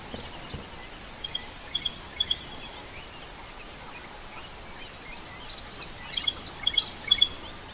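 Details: Stierling's wren-warbler calling at Rietspruit Game Reserve, South African Lowveld, at sunrise: short, high, paired piping notes in two brief bursts, faint against steady wind and vehicle noise.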